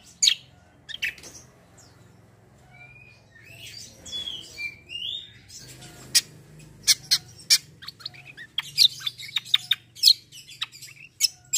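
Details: Black-winged myna in a lively competitive song bout; sharp broadband chirps and clicks interspersed with short whistled slurs, growing denser and more rapid toward the end, over a faint low electrical hum.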